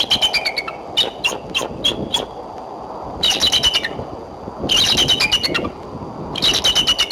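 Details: A female bald eagle at Decorah, perched for a long time on a Y branch around midday on 3 April 2012, calls in high, thin chittering bursts of rapid piping notes, four bouts in seven seconds, over low wind-like rumble.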